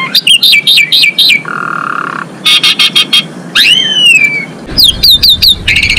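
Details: Female Asian pied starling in full song, meant to stir males into breeding condition; bursts of ringing repeated notes alternate with a flat buzzy tone, a long downward-sliding whistle and a harsh rattling chatter.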